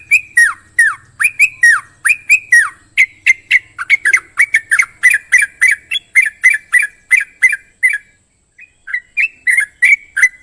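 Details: Sooty-headed bulbul singing: a long, lively run of short bubbly notes, each sliding sharply down, repeated rapidly for about eight seconds, then a brief pause before a few more phrases.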